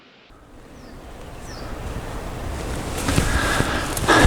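Wind and rushing, surf-like noise build steadily louder, with no clear animal voice.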